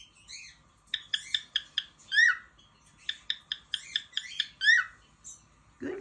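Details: Captive cockatiel song made of clipped, harmonic chirps in quick series, broken by loud downslurred whistles. Two similar phrases repeat, and a short low voice-like sound comes at the end.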